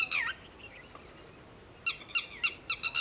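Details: Red-wattled lapwing giving an alarm call to its companions about human movements: a shrill, harmonic-rich note, then after a pause a quick series of four sharp, downward-slurred cries, with faint distant chirps between.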